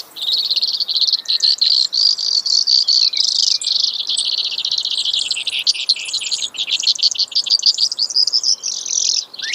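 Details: Brewer's sparrow, offered as a hunting bird call: a long unbroken run of high buzzy trills that shift pitch from one section to the next, sung continuously for nearly ten seconds.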